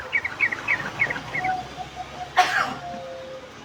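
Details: Ngeriwik-style singing from a sooty-headed bulbul: a string of paired, high chirps at a steady pace, then a sudden loud cough-like burst and quieter notes.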